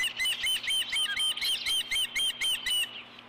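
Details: Nest-camera recording of an osprey pair at Dunrovin Ranch on 4 April 2014, male delivering a fish to the female; shrill piping chirps repeated quickly and evenly for three seconds, then fading.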